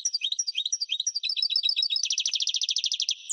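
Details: Continuous European goldfinch song: lilting two-part chirps repeated rhythmically, accelerating into a rapid, buzzy stream of high twitters that runs to the end.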